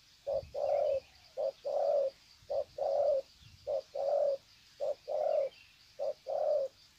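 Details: Spotted doves at Sê San, 21/2/2020, greet one another in drawn-out cooing: soft low hoots alternating a brief note with a longer one, repeated evenly about every second over a quiet background.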